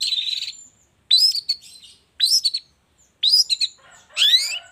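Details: Long-tailed shrike lure sound from the morning, intended to provoke reluctant shrikes into singing; five harsh, buzzy, upslurred screeches, each about half a second long and roughly a second apart.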